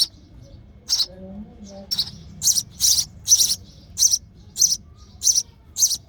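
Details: Sparrow nestling begging as its mother feeds it, high hissing chirps starting sparse and then quickening into a steady series of about nine rapid notes.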